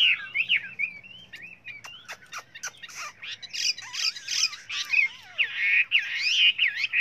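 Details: Chinese hwamei singing many varied voices: warbled whistles, a run of sharp clicks, then loud harsh and looping whistled phrases with a long downward slur.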